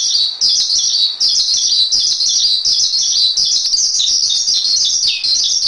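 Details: Jalak suren masteran: steady, loud, high chatter from a Javan pied starling, ending in a few falling slurred notes, with no other sounds.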